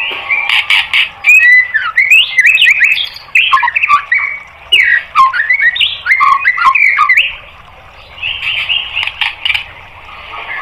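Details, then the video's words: White-rumped shama song, used to train caged birds: rich varied warbling of swooping whistles and squeaky notes in fast bursts, a brief pause, then softer phrases. "MASTERAN MURAI BATU biar EMOSI NYAUT jadi GACOR BONGKAR MATERI TEMBAKAN"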